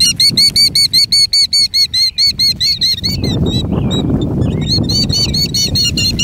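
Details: Killdeer calling while faking a broken wing, 2019: shrill, high, downslurred notes repeated rapidly in a steady series, a brief pause near the middle, then the series resumes over a low rumbling background.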